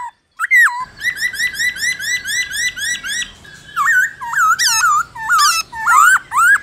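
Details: A black-throated laughingthrush sings a fast, rich wild-type song of looping whistles, first a rapid even run of rising notes, then louder varied phrases with harsh overtones; indoor echo. Black-throated laughingthrush.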